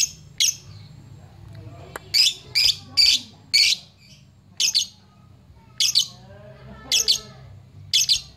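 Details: Lovebird calling rivals during a fluffing challenge display, used as a lure for fighter birds: harsh, shrill squawking chirps, sometimes doubled or tripled, repeated at irregular intervals against a quiet background hum.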